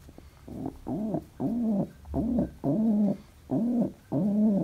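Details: Pet pigeon, said to be very happy, cooing indoors: seven low, bowed, warbling coos of nearly equal length, repeated about every half second with brief gaps.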